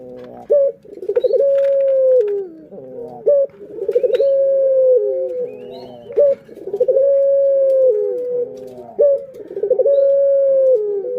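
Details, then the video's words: Pet Barbary dove cooing as a lure for other birds: rolling pulsed notes lead into long steady tones that dip at the end, repeated about every three seconds, clear and loud. "Pancingan Burung Puter Paling Keren"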